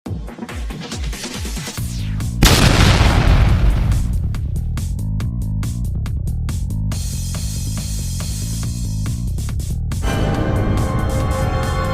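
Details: Music with deep booming bass hits, rapid percussion and a rising sweep, and no animal voice.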